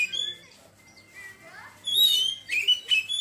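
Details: Kacer, the Oriental magpie-robin, moving from ngeriwik twitter into ngeplong song: a quiet thin whistle and a soft descending trill, then a burst of loud, bright whistled notes.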